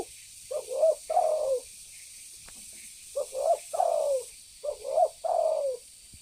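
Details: Spotted dove giving a lure call to draw in birds; three phrases of soft coos, each a quick double note and a drawn-out falling coo, over steady background hiss.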